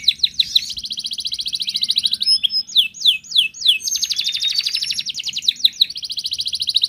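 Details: Wild Atlantic canary song as a singing prompt: dense high trills interrupted by loud downward-swooping whistles, then long fast rolling trills continuing to the end, clear and loud.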